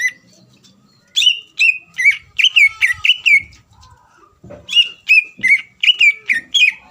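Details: Greater green leafbird singing in full form to provoke a rival: repeated whistled notes dropping from high to about 2–3k, given in quick bursts after a brief quiet start, with faint low rumbling beneath.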